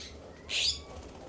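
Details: Immature California scrub jays calling in a yard in Pacific Grove, California: a single harsh, rasping note about a third of a second long, broad and high-pitched, over quiet background hum.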